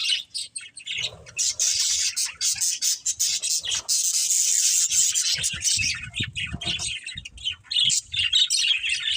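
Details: Budgies chatter in a harsh, buzzy jumble of squawky chirps and fast clicking notes, strongest through the middle seconds.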